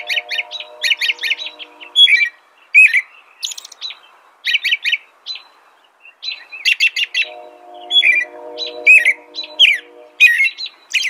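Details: Busy American robin song of quick whistled, chirping phrases with high squeaks, partly over a steady low hum that drops out mid-passage and returns later.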